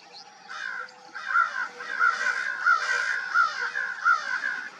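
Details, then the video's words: Crows calling together at dawn, a dense overlapping chorus of coarse caws pulsing roughly every two thirds of a second, one bird louder than the rest. "A murder of crows."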